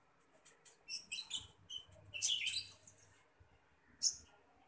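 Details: Common iora being fed: a burst of scratchy, high chirps and short squeaky notes, a brief falling whistle near the middle, then one last sharp chirp after a pause.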